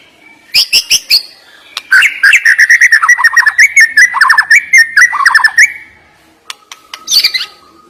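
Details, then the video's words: White-rumped shama (murai batu) song meant to rouse a lazy bird: high chirps, then a fast run of mid-pitched warbled and rattling notes lasting several seconds, ending with a long steady tone and a final high burst. "Ngeri Isian Murai Batu Ini Nembak Tajam Naikan Emosi Burung Malas Bunyi"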